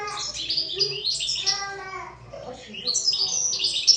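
A European goldfinch sings a rapid, tinkling jumble of high twitters and liquid trills, with a few buzzier notes mixed in.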